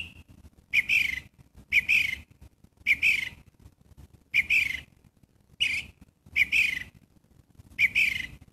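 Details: Gray catbird giving harsh, nasal, downslurred mewing calls, seven separate notes spaced about a second apart, each a short burst with a cat-like slur, over a low steady background rumble.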